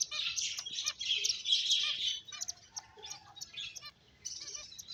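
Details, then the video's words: Playing finches chirp densely in a busy, high twittering chorus for two seconds, then thinner scattered chirps and a brief level whistled note. "Cute Birds Chirping Sounds | Beautiful Finches Playing"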